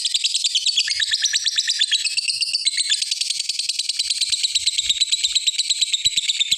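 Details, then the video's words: Lovebird in long ngekek chatter, sung to call a rival: an unbroken stream of fast, high, buzzy pulses, roughly three per second, steady in pitch and loudness throughout. "suara Burung lovebird ngekek panjang manggil lawan"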